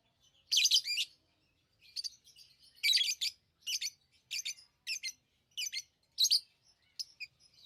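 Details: Lovebird chirps: a string of sharp, piercing, high chirp bursts repeated about every half second to a second, separated by clean silences.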